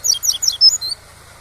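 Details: Tui-tui style song of a Double-collared seedeater, recorded to train young cage birds: about a second of rapid, high, bright chirps and short slurred whistles, then the steady low rushing background continues alone.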